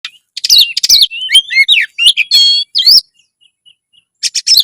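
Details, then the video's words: Oriental magpie-robin in full loud, lively song, used to raise breeding drive and put birds into fight mode. It gives rapid, varied chirps, sharp whistles and rising-falling warbled phrases, then pauses briefly before a fresh burst of high notes. "kacer gacor suara lantang menaikan birahi burung kacet ON tarung"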